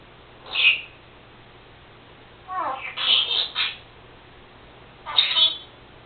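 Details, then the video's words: Pet Senegal parrot, female, indoors, copying her owner's sneezes and talking; a sharp high squeak, then a longer chattering, speech-like phrase, and a final high burst. "Senegal parrot Lucy talking...and making sneezing sounds.."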